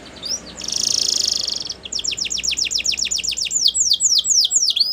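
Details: Belgian canary singing a bright buzzy trill, then a long series of quick repeated descending notes that grow into looping chirps, with soft background hiss.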